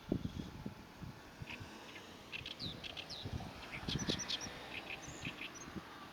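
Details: Oriental reed warbler singing on 23 April 2024 to advertise its territory, the song rendered as gyo-gyo-shi: short harsh, grating notes in quick bursts, fairly faint over steady low rumbling and thumping background noise.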